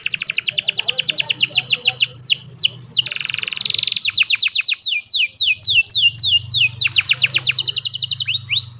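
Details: An old canary sings on a sunny morning, recorded with a cellphone: long rapid trills of downslurred notes, a harsh buzzy burst, more sweeping trills, over a faint low hum.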